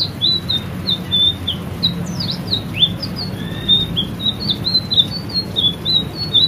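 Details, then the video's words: White-rumped shama of the variety called selendang biru, in a training recording for caged birds, singing energetically: a continuous stream of high, clear whistled notes and short slurred phrases over steady low background hiss. "masteran burung murai selendang biru gacor"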